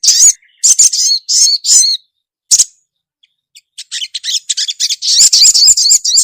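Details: Ruby-cheeked sunbird, a female calling to the male: sharp high twittering bursts in quick groups, a pause of about a second, then faint ticks building into a fast, continuous run of shrill chirps.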